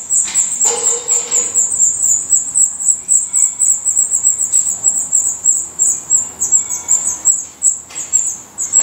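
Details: At a black redstart nest in Portugal, shrill high-pitched notes repeat rapidly and almost without pause, with brief soft scratchy bursts and a low hum in the background.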